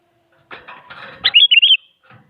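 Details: Sooty-headed bulbul singing actively to provoke rival bulbuls into singing: harsh, scratchy bursts lead into a loud, clear whistled phrase of three quick rising and falling notes.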